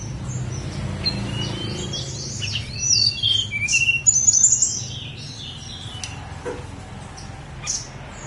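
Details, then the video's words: A snowy-browed flycatcher from Mount Songgo Langit sings a brief burst of high, thin whistles, rising slurs and fast twittering notes in the middle of the recording, with quieter high notes afterwards and steady low background hum. "KICAU TLEDEKAN GUNUNG SONGGO LANGIT"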